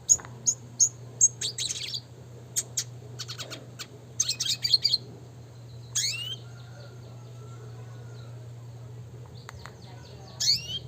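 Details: Red siskin, classic training song: evenly spaced sharp high chips opening, a brief buzzy burst, then sparse upward-sweeping whistles and long quiet gaps, all over a faint steady hum.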